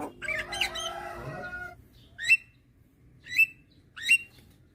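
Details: Young white-eyed Javan myna, head-bobbing, calls to lure hybrid mynas; after a jumbled noisy start come three clear, sharp whistled notes spaced about a second apart.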